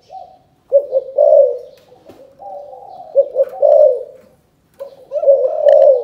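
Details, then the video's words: A spotted dove from Cần Thơ, Vietnam, utters repeated chụp chụp ô calling coos. Three low phrases, each a quick stutter of choppy notes ending in a drawn-out throaty coo, come roughly every two seconds. "Chụp chụp ô gáy gọi Thái Vân hoa : Cu gáy Cần Thơ"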